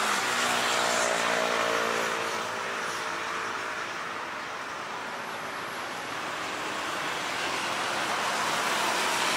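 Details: Broad rushing noise, swelling and fading like traffic or wind, with a low humming drone early on and no animal sound.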